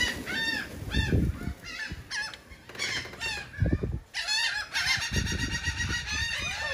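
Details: Gulls at a cake in Atlantic City, New Jersey, give scattered short, downslurred squeals and a late cluster of crowded cries, mixed with heavy low thumping and handling noise.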